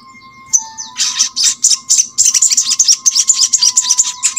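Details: Crimson Sunbird song, used to prompt other birds of the same kind to sing. After a brief high note, a fast, dense stream of high twittering and chirping notes runs almost without pause. A faint steady tone sits beneath.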